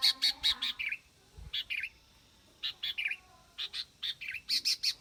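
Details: Sooty-headed bulbul in a rapid run of clear chirps and bubbly falling whistles, repeated in short phrases with brief pauses, faint low rumble beneath.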